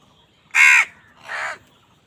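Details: Crows fighting over food: two harsh, hoarse caws about three quarters of a second apart, the first loud and the second softer, with little background sound.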